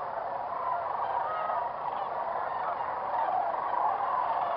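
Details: Early-morning chorus at a whooping crane roost near sunrise, many birds calling at once; steady overlapping honks and trumpeting notes, with a few sharper calls rising above the din toward the end.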